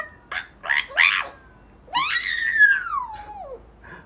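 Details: Eight-month-old male African grey parrot, a pet, makes rough squawky chattering, then a long whistled note that slides downward, beside a person saying goodbye.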